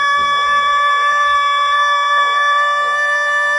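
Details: Pelung cockerel holding its long, unusual crow: a steady, full, buzzing-rich note kept level and loud from start to finish, with faint low rumbles underneath.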